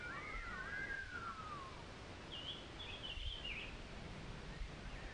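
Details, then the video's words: A female golden-naped finch (Pyrrhoplectes epauletta) at Okhrey, Sikkim, India, in May 2018 gives soft, wavering whistled notes sliding downward, then a brief higher twittering phrase, over a steady background hiss. "Golden-naped Finch (Female)"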